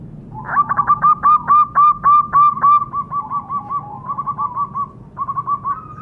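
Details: Zebra dove call meant to draw captive birds into calling: about ten rapid, clipped coos in a row, then a softer rolling trill of coos, a pause, and a few more quick notes.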